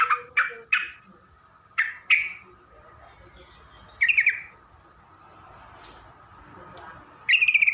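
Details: Yellow-vented bulbul calling as a lure for other bulbuls: several sharp separate notes in quick succession, then a short rapid pulsed burst and, after a pause, another buzzy pulsed phrase at the end.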